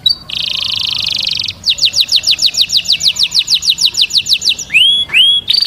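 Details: Male canary song meant to excite females for mating: a steady buzzy trill, then a long run of rapid descending notes, ending in two drawn-out upswept whistles.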